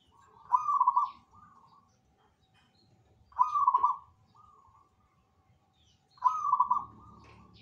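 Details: Zebra dove in full song, other birds said to join in: three rapid trilled cooing phrases, each under a second and fading into a softer tail, repeated about every three seconds.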